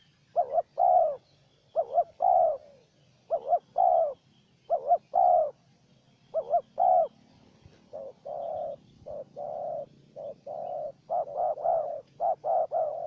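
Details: Wild spotted dove dueling with a decoy bird during a trapping outing, the two calling against each other: soft, low coos in short phrases, a quick double note followed by a longer drawn coo, repeated every few seconds, with a faint low hum behind.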